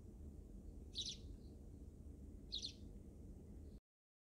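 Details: Backyard wild sparrows giving two bright, clustered chirps about one and a half seconds apart over a steady low rumble. The recording cuts off abruptly near the end.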